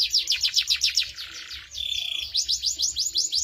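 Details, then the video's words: Canary in full song, its style called cengkok mewah: high swept notes repeated about four times a second, a brief buzzy trill in the middle, then more rhythmic rising notes. "Suara Burung Kenari Gacor cengkok mewah"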